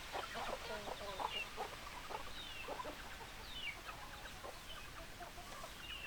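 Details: Hens clucking, a busy run of short broken notes with some higher squeaky calls overlapping, several birds calling at once over a steady background hiss.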